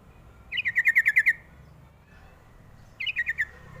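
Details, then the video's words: A sooty-headed bulbul call used to make young birds answer: a quick string of about eight bright, slightly falling chirps, then after a pause a shorter burst of four, over soft low background noise. "pancingan paling jitu burung trucuk muda pasti nyaut"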